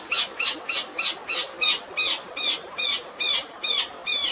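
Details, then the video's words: Long-tailed shrike fighting song with sparrow-like fill and a steady water backdrop: a regular series of bright, harmonic chirps, about three a second, each note bending downward. "CENDET ISIAN GREJA TARUNG DAN SUARA AIR ALAMI"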